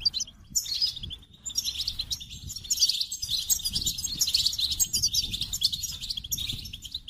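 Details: Goldfinch song as a sustained, busy medley of high chirps, trills and wheezy notes, flowing steadily after a short opening pause.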